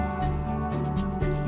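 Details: Two short, very high chips from a juvenile (fledgling) Chipping Sparrow in summer, about half a second apart, over soft background music; fledgling calls are slightly rougher and longer than adults'.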